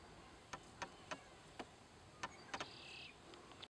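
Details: At Cheyenne Bottoms Wildlife Area near Great Bend, Kansas, a male Yellow-headed Blackbird by the roadside gives a series of sharp, dry clicks at irregular intervals, broken by a brief scratchy buzz partway through.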